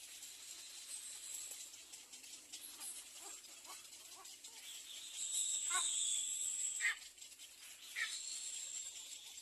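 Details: Nestling little egrets cry for food with scratchy, rasping notes. The notes build into a louder harsh stretch, with two sharp rasps standing out near the end.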